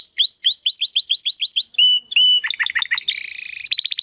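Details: Domestic canary, recorded as a tutor for competition birds, sings a rapid series of rising whistled slurs, two long flat whistles, quick downward chips, then a buzzy rolling trill and fast rising notes.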